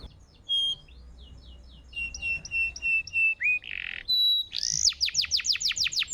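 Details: Canary song for training and prompting other canaries: scattered high chirps and short whistled notes, a harsh buzzy burst, then a fast series of sweeping trilled notes, with faint background hum.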